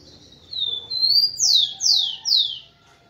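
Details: Song of a male rufous-collared sparrow, sung to stimulate females: two drawn-out slurred whistles rising slightly, then three strong downward-sweeping clear notes in quick succession, clean and quiet behind.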